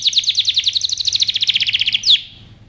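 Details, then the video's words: Canary in powerful song for training, delivering an even, fast trill of high repeated notes. A sharp whistled flourish ends the phrase, then it fades. "canary singing over power canary most powerful song for best training"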